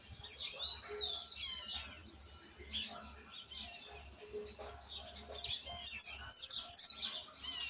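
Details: Young Argentine white goldfinch still learning its song, with parts yet to correct: high, bright trilled phrases and sliding whistles, rising toward a louder, buzzy, very high run of notes near the end, over a low steady hum.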